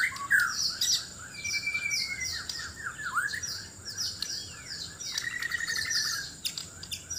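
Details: Sabah, Borneo white-rumped shama in a loud singing contest while seeking a mate; quieter mix of long clear whistles, a falling slur and repeated short high chirps over a constant thin high hum.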